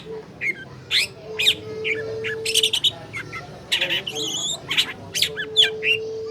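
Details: Lure recording of a caged long-tailed shrike for prompting a silent bird to sing: a busy run of harsh grating notes, clipped chirps and brief high whistles in quick succession, a faint steady hum behind.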